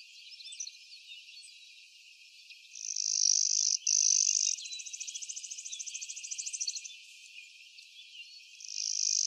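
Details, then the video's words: Clay-colored sparrow (Spizella pallida), 12 May 2023, McGill Road, Blackman Township, Jackson County, Michigan: flat, insect-like buzzes, two steady high buzzes then a longer, rapidly pulsed buzz, another starting at the end. "Clay colored Sparrow"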